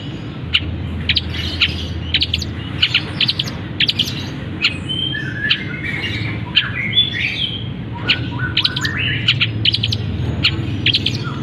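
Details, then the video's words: Long-tailed shrike kept in a cage, singing loudly once its cover is removed, its song filled with imitations of canary, fighting sparrow and kapas tembak; a rapid stream of varied high chirps, clicks and short whistled twitters over a low background hum. "Cendet Gacor Isian Kenari, gereja tarung, kapas tembak"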